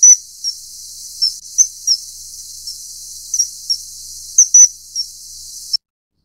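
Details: Common kingfisher, filmed while feeding a juvenile, gives thin, piercing high whistles, short single notes at an irregular pace over about six seconds, with quiet hiss between them.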